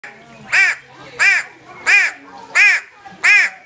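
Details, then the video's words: Grey go-away-bird, called habarticay in Somali, in Somali wildlife: five harsh nasal calls with a bleating ring, each about a quarter second long, repeated steadily roughly every 0.7 seconds over a low background hum. "grey go a way bird) habarticay"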